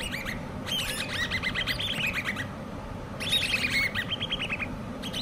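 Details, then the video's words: Hand-reared common babbler chicks calling in two main bursts of quick, slurred chirps. The notes are slightly descending and run into a rattling chatter, separated by a quiet stretch with steady low hum. "COMMON BABBLERS( hand reared chicks )"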